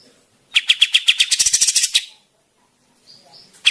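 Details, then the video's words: Grey-cheeked bulbul from Java in lively song: a burst of rapid, raspy chattering notes that speeds up and grows denser before stopping, then a faint note and the start of another phrase. "cucak jenggot jawa gacor"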